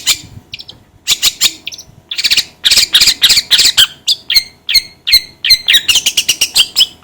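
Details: Long-tailed shrike calling, a sound used to stir shrikes into action: rasping bursts followed by a run of sharp, downslurred high notes repeated in quick succession.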